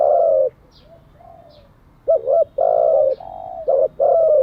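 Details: Loud spotted dove coos for daily decoy training: one long low coo, a quiet pause with faint softer notes, then a rapid sequence of a wavering double note, a sustained coo, a softer coo and short clipped coos.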